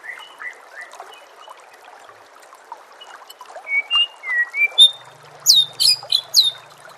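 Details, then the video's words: White-rumped shama song for training caged birds, over a trickling-water background: soft slurred whistles, then louder clear rising notes and a few sharp high chirps near the end. "murai batu anda dengar suara MASTERAN burung seperti ini"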